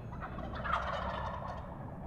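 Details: Wild turkey longbeards in Pennsylvania gobbling while strutting on the roost before flying down; a loud, rapid, rattling gobble swells and fades over two seconds against low rumbling background noise.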